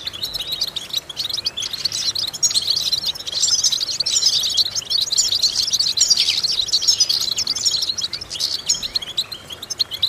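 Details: European goldfinch song played as vocal exercises: rapid high chirping and tinkling trills, repeated roughly once a second in loose bursts, swelling in the middle and fading slightly toward the end.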